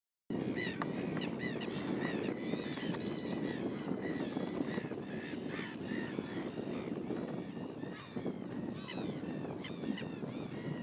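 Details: A flock of curlews (zarapitos) calls constantly, with many overlapping short whistled notes, some rising and some falling, over a steady low rumble of wind or surf.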